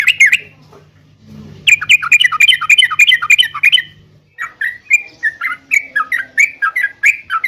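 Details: Yellow-vented bulbul singing to make caged birds respond: a quick burst of rattling chatter, then slower, scattered bubbly whistled notes, over faint background hum.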